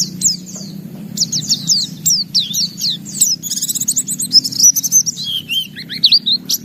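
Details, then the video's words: Kept white-eye singing energetically with open beak, showing off its repertoire: quick high swooping whistles, then a rapid buzzy trill, then lower slurred notes dipping downward near the end. "Suara Burung Pleci Gacor Buka Paruh Bongkar Isian"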